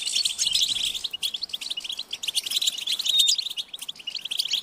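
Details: A high, insistent begging call from European goldfinch chicks, used to help parents find and feed them. Rapid twittering is densest at the start, then continues as steady overlapping chirps.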